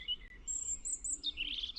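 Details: A European robin sings from a cherry tree in winter, a brief phrase of thin, high notes: a sustained very high whistle, then a lower warbling twist, over a faint low background rumble.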